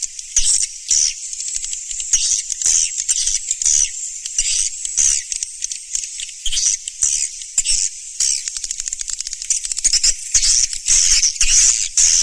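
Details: Swiftlet sound for luring birds: long run of loud, high buzzy twitter bursts, about two per second, separated by brief quieter gaps.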